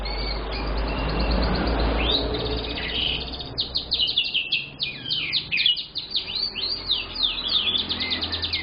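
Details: Young canary singing lively as a lure bird: a noisy, softer opening with a brief trill, then loud quick rolling trills and swooping notes in rapid succession, with low rumbling background noise.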